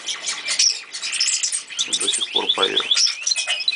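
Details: An old pet male canary, about 8 years old, sings a bright, high song of rapid rolling trills and quick repeated chirps, with a man talking quietly underneath.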